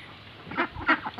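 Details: White Pekin ducks on a duck farm: two short, harsh, nasal quacks about a third of a second apart, followed by a softer quack, over a low steady background.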